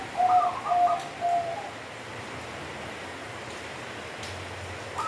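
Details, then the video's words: Zebra dove of local stock giving a kenthing-style song phrase: a few mellow coos then a brief higher trill, followed by quiet hiss and the start of another phrase at the end. "Perkutut Lokal Suara Kenthing"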